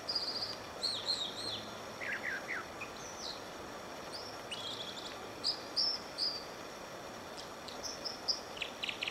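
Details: American dipper singing and dipping on Whisper Creek near Diamond Lake, Oregon; high, clear whistled phrases and short trills, some sliding up or down, come in scattered bursts over a steady rush of creek water.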